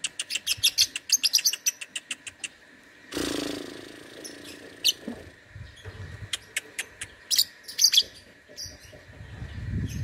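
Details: Contest lovebird from Singkawang, West Kalimantan, Indonesia, in an online singing competition: a fast train of ticking high chirps, then a brief broad rushing noise, followed by scattered piercing chirps over low background rumble.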